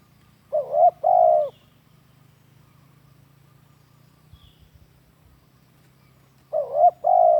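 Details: Cooing of a spotted dove used to train captive doves: two phrases roughly six seconds apart, each a short two-part coo then a longer, louder hoot, with quiet pauses between.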